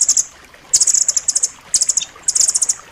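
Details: Blue nuthatch, dense sharp song used to train pet birds: four bursts of rapid, high rattling chips, each under a second, separated by short silences.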